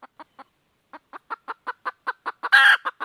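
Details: A red junglefowl hen looking for a rooster utters sparse clucks that quicken into a steady rapid series. A loud raspy burst breaks in near the end before the clucking resumes.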